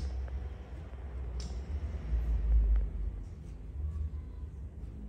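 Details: Low rumbling hum that swells midway, with a couple of faint clicks and no animal voice.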